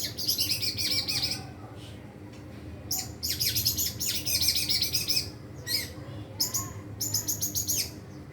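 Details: White-rumped shama in captivity unloading its repertoire of imitated fill-ins: bursts of harsh, high, rapid chattering notes separated by short pauses, with a few softer whistled slurs between.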